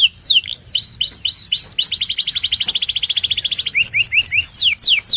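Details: Belgian canary in full song: a few looping high sweeps give way to a long, fast, rattling trill of closely packed notes, ending with scattered sharp descending chirps.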